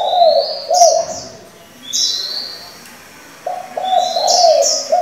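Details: Spotted dove changing its voice continuously, used to train young doves. Throaty rolling coos open and close the recording, mixed with rising high chirps.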